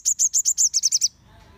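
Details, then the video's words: Crimson sunbird trill played to goad other sunbirds into song: about nine piercing high notes in one second, slightly slower at first and quickening toward the end, then quiet. "Cukup 1 Menit Saja, Sogon Ombyokan Pasti Langsung Nyaut Dan Gacor Terpancing Em0sinya"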